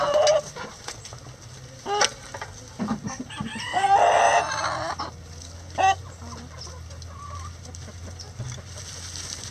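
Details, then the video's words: Chickens in a coop on a sunny day: a loud harsh rooster crow around the middle, with scattered clucks and short squawks before and after over a low steady hum. "Relaxing Chicken Coop Sounds On A Sunny Day"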